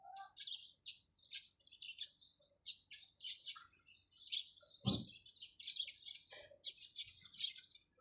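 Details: Steady high sparrow chirping, with clipped notes repeated several times a second, broken once by a dull thump.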